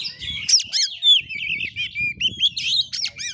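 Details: Loud, fast oriental magpie-robin song in fighting style: rich, tumbling phrases of bright whistles, sharp upslurred chips and scratchy bursts, delivered almost without pause over a soft low background rumble.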